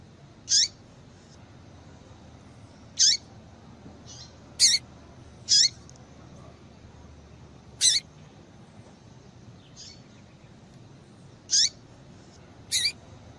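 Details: Calls of a female yellow-bellied seedeater meant to stir males to sing; sharp high chirps, each with a bright top and a short lower tail, repeated about eight times at irregular intervals of one to three seconds, over soft hiss.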